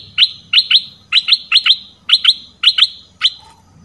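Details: Red-whiskered bulbul, southern type, in a decoy recording used to lure birds: sharp, high chip notes, mostly in quick pairs, repeated about every half second, with a soft low hum in the background.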